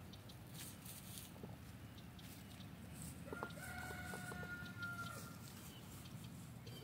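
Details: Backyard free-range F3 Olive Egger rooster crows once, a level, overtone-rich call lasting about two seconds. Scratchy bursts and a droning low hum are heard around it.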